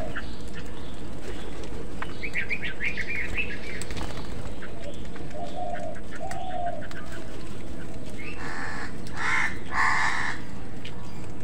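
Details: Crows squabbling with other birds over food; harsh, broadband cawing bursts near the end, preceded by thinner chattering calls, over a steady low rumble of background noise.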